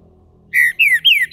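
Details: Green-winged saltator in captivity in Brazil, opening toward its main song with three loud, clear whistled notes, each sliding downward, delivered in quick succession.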